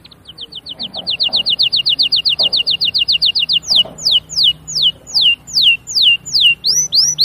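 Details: Canary pouring out a fast, even trill of clear high notes, then switching to slower, loud downslurred whistles spaced about two per second.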